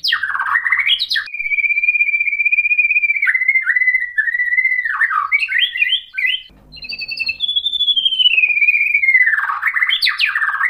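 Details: White-rumped shama song used as a lure to provoke other shamas into answering: a long, steady, piercing whistle held for several seconds, then quick warbled flourishes, a brief pause, and a second high whistle gliding downward into rich chattering notes.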